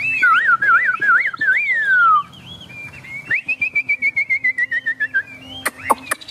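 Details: A tame Chinese hwamei displaying with feathers spread sings loud, wavering whistles in looping phrases, then a long run of quick, slightly descending notes, closing with a few sharp snaps; recorded during rain.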